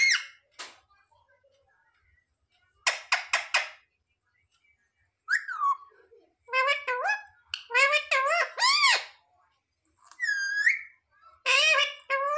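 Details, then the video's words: Pet parrot mimicking words indoors: scattered clicks, a quick rattle of clipped notes, then a run of wavering speech-like syllables and a rising whistled note. "Parrot talking mithu mithu 😱Mummy papa bolne wala mitthu"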